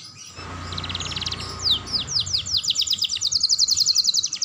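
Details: Young canary singing continuously as a lure to stimulate other canaries: fast trills of rising-falling high notes, swelling from soft to loud into a rapid, evenly pulsed rolling series near the end.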